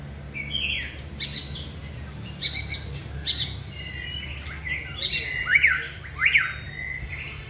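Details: Busy singing from a caged white-rumped shama at training: rapid high chirps and whistles crowd together, building to several loud peaked notes near the end.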